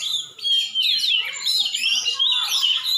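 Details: Aceh champion Oriental magpie-robin pouring out a fast, jumbled run of clear whistled slurs and buzzy chatter, notes tumbling rapidly up and down.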